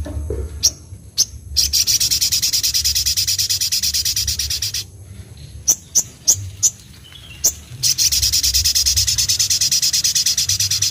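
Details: Van Hasselt's sunbird (sogok ontong, kolibri ninja), kept bird in energetic gacor singing with isian filler notes and ngleper wing-fluttering: long rapid buzzy high trills of fast repeated pulses, broken by loud sharp single chips.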